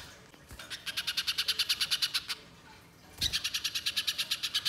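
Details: Spiderhunter in full voice, used as a lure in the wild, uttering two bursts of quick, dry, high chattering notes, each lasting well over a second, separated by a short quiet gap.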